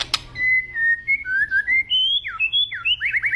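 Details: White-rumped shama in an agitated state sings a varied string of pure whistled phrases, some level and some swooping down. The phrases end in rapid looping notes, and one sharp click opens the passage.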